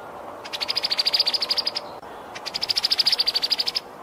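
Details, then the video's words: Brown-headed cowbird (Molothrus ater) giving two high, rapid pulsed trills, each about a second and a half long with around fifteen even chattering notes, separated by a short pause. "Brown headed cowbird ( molothrus ater )"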